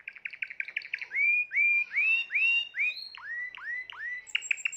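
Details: Timbrado canary song recorded in 2020: quick staccato notes give way to a string of long upward-sliding whistles, followed by dipping swoops and a brief high trill.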